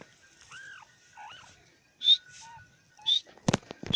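A francolin gives a few arched, whistled notes, then sharp, shrill high notes about a second apart, ending with several loud knocking clicks.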